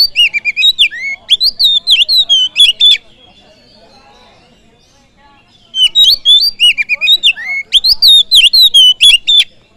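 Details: Oriental magpie-robin singing a full-length lure song used to provoke other birds. Two bursts of rapid, varied whistled notes, bright and warbling, about four per second, with a quiet pause of nearly three seconds between them.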